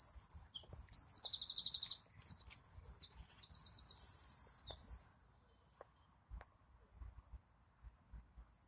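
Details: A wren sings a loud, high phrase built from a rapid trill and bright quick notes, ending abruptly, followed by quiet with faint low knocks.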